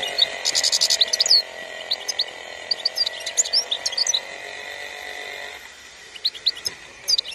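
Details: European goldfinch, Algeria, 2021: an opening buzzy trill followed by scattered bright twittering notes, a quieter gap, then renewed chirps, with a steady hum behind.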